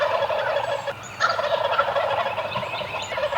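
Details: Eastern wild turkeys gobbling from the roost in the morning, a dense rattling chorus of overlapping gobbles filling the clip with a brief lull near one second; thin high songbird whistles sound above.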